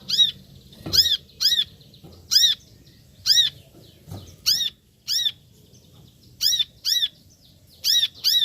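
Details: Paired and single arched chirps from a brown-throated sunbird, around a dozen high notes spaced roughly a second apart, with a couple of soft low thumps.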